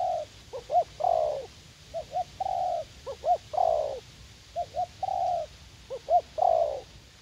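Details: Captive young spotted dove decoy keen to fight, set in a garden at U Minh; repeated gentle cooing, two short rising hoots then a long wavering coo, four phrases against soft background rumble.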